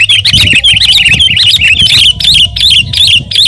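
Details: Sooty-headed bulbul in full, active song, used to tutor and provoke other birds: a quick string of bright, wavy, slurred notes repeated almost without a break, with a low droning hum beneath.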